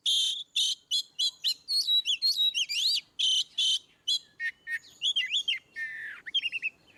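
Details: Ngeplong song of an Oriental magpie-robin, used to prompt birds that rarely sing: rapid harsh chips, about two per second, mixed with wavering whistles, then lower falling slurred phrases that trail off.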